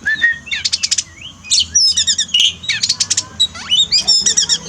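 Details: Oriental magpie-robin singing in a rich, varied stream of high trills, rapid clicking buzzes and quick upslurred whistles, used as therapy for a pet bird reluctant to sing after moulting.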